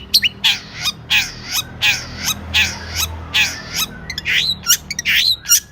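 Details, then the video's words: Long-tailed shrike delivering a 'gacor' song with rich 'isian' fill. It opens with harsh, raspy scolding notes repeated roughly every second, then breaks into quick clicks and a rising whistled phrase. "Burung Cendet Gacor isian mewah"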